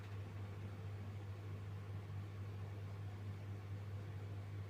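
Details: A steady low electrical hum runs under faint broadband hiss, with no animal voices.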